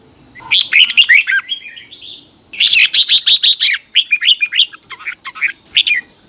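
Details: Red-whiskered bulbul (Pycnonotus jocosus) singing bright, rollicking whistled phrases, quick bursts of chirpy notes in rapid succession, over a steady high electronic hiss; a recording used to train wild-caught birds to sing.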